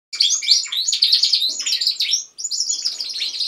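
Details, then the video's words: Several pet canaries singing together indoors at home, led by one bird: a dense, overlapping chorus of bright warbles, fast trills and high twittering notes, with one brief pause near the end. "Canaries singing."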